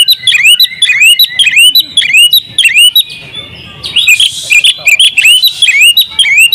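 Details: Champion oriental magpie-robin in full-fill ngobra singing, recorded for tutoring. Its song is a series of ringing upslurred whistles, each rising sharply and repeated about twice per second. A harsh noisy burst comes near the middle, then the whistled series resumes.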